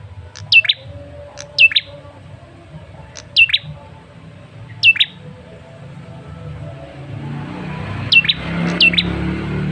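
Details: ['Lure call of a male red-headed tailorbird. Abrupt paired swooping chips come about every one to two seconds in four bursts, then two more near the end as a rushing background noise swells.']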